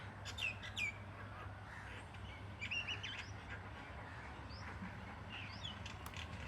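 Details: Birds in the morning giving bright, quick chirps. A loud pair of whistled notes opens, followed by softer twittering and a few thin high notes, all over a constant low electrical-sounding hum.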